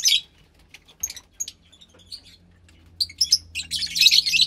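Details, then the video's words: Captive Fischer's lovebird chick about 15 days old from a lutino and pastel blue pair, making scattered short high chirps and squeaks, ending in a dense burst of harsh chattering calls over a faint low hum. "Lovebird Chick From Lutino & Pastel Blue Fischer"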